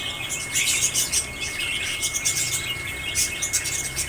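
A cockatiel gives rapid, high, chirpy calls in busy bursts over a faint steady hum.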